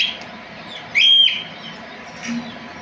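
A parrot gives one loud, shrill squawk, then a much softer note a second later, against a quiet background.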